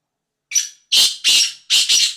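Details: Black francolin calling, recorded 5/8/2023: one short high note, then three loud, harsh, grating bursts in quick succession, each roughly a third of a second long, against a silent background.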